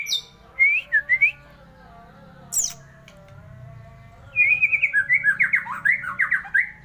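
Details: Singing magpie-robin: a few short slurred whistles early on, a single sharp high click mid-way, then a long lively stretch of dense, rhythmic warbled notes.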